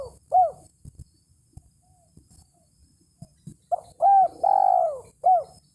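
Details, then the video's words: Lure call of a spotted dove calling a rival: one short hooked coo, a pause with soft low knocks, then a phrase of quick coos and a long sliding coo ending in another short note. "SUARA BURUNG TEKUKUR MEMANGGIL LAWAN"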